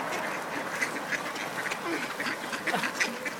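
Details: Hungry ducks in a flock squabble over a frozen bagel tossed to them; rapid, overlapping harsh quacks burst out in clusters against a steady noisy background.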